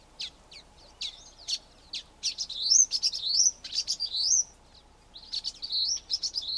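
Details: A flock of common waxbills gives a few sharp high chirps, then a rapid run of buzzy, twisting notes rising and falling, a pause, and more high twittering phrases. No other sounds stand out.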